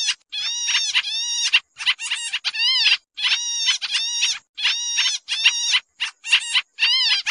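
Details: Pied triller calling in a busy lure recording for trapping: grating, nasal chatter of stacked buzzy notes, some rising then falling, delivered in uneven clusters separated by brief pauses.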